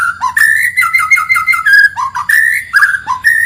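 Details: Forest white-rumped shama in energetic song, a lure for home birds: a continuous run of clear whistled notes rising and dipping, short slurred phrases strung together with brief breaks.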